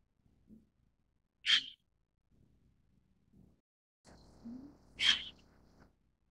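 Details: White-cheeked Starling (Sturnus cineraceus) giving two short, harsh, hissing bursts about three and a half seconds apart, each sharp and noisy rather than tonal, with a faint low hum and a soft rising murmur in the background.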